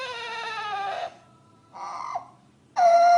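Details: Green parrot imitating a crying human baby: wailing, harmonic-rich cries in three bursts, the last a loud sustained wail, after a woman soothes it in Spanish.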